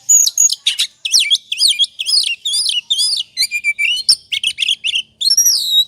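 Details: Oriental magpie-robin singing in the ngobra manner, a lure to trigger singing: loud, fast bursts of sweeping whistles and scratchy chirps, repeated in quick succession with short gaps.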